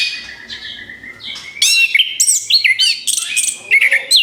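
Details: Orange-headed thrush singing as a lure: it opens with a soft, steady high whistle, then bursts into loud, rapid, varied chirps and slurred notes.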